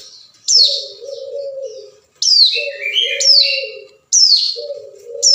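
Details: Hill prinia giving a rival-summoning call used as a lure: loud, high, falling slurred notes about every two seconds, a short buzzy twitter after one, and a sustained low steady tone in the gaps.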